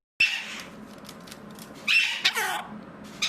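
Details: A pet mitred conure, said to be feeling better and waving, gives a sharp squawk, then a burst of harsh, rasping, harmonic-rich calls about a second and a half later, in a quiet indoor room.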